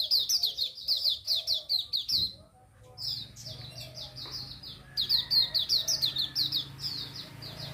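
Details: Hume's white-eye singing in the wild in the morning: rapid runs of high, thin, downslurred twittering notes, pausing briefly midway before resuming, over a low steady hum.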